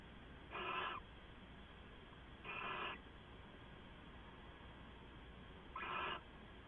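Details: Owl calling late at night on 2 September 2014 from a live camera feed: three short, harsh, breathy screeches, the first two roughly two seconds apart and the third after a longer pause, over quiet hum.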